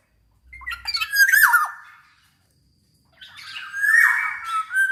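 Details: Black-naped oriole in gacor song for luring other kepodang to sing: two rough, squawking phrases with whistled slurs, separated by about a second of silence.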